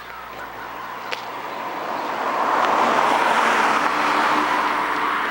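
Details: A car passes by on a road. Its broadband roar swells and then holds steady, with a faint low hum beneath and no animal calls.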